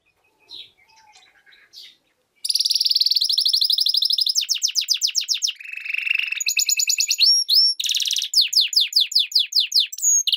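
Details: Hybrid of European goldfinch and canary, after soft scattered chips, bursting into a long continuous song of rolling buzzy trills, lower grating rattles, clear rising whistles and quick downslurred chirps.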